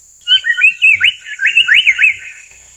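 Amur paradise flycatcher giving about two seconds of quick, slurred, scratchy notes that rise and fall, over a steady high insect whine.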